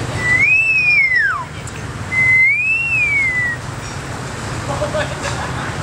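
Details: Caged male common hill myna in Battambang, Cambodia, whistling at girls walking by at dusk, July 2011: two clean whistles that rise, arch over and fall away, with faint voices and traffic-like hum behind.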